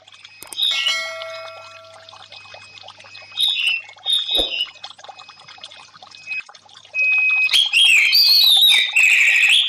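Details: Orange-headed thrush singing, in a recording used to coax a stressed bird that has stopped singing; scattered faint high notes and trickling water, then a loud run of quick, varied whistled and chattering phrases in the last three seconds.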